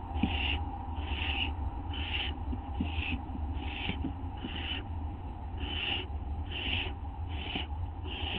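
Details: Owl during a nighttime treat, 19 August 2011 at 11:07 PM, another owl lingering outside; a fast series of about eleven breathy, high-pitched bursts, some in quick pairs, with light clicks and a steady low hum.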